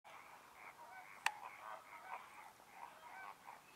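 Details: American flamingo flock at the Lagunska ribogojnica nature reserve, 4 January 2024, keeps up a steady, overlapping goose-like gabble of nasal honks, with one sharp click partway through.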